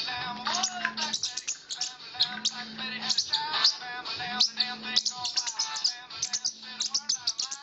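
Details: A parrotlet chirps rapidly in high, busy tweets in response to a ringing cellphone, its looping ringtone melody with a low tone pulsing every two seconds.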